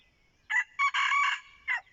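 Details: Red junglefowl used as a decoy crowing once at close range: a short opening note, a second brief burst, a long sustained strained middle phrase, then a clipped final note, all against a quiet background.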